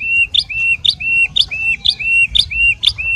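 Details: White-rumped shama in fighter-style song: a clear, level whistled note followed by a sharp, ringing higher note, the pair repeated steadily about twice per second over a faint low rumble.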